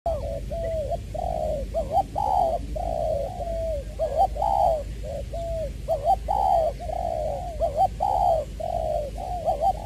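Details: Spotted dove kept as a decoy bird in Tra Vinh, Vietnam, cooing steadily: low, hollow coos in quick linked phrases, each note gently rising then falling, repeated without pause across the whole stretch, with faint room noise behind.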